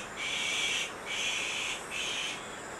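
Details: Azure-winged magpie nestlings being raised by their parents at Maeji-ri, Wonju, Korea, begging with three harsh, hissing rasps, each under a second, separated by brief pauses.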